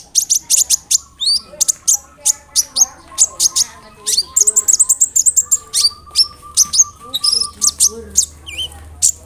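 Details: Sunbird (kolibri ninja) song played to coax other sunbirds into responding: steady stream of high clipped chirps and short slurred whistles at a lively pace, with soft lower twittering and a faint hum underneath.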